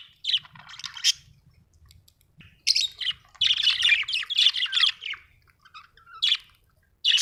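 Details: Budgie chattering in dense bursts of scratchy, warbling chirps and squawks, a first short burst, a pause, then a long busy run of mixed notes followed by two brief chirps.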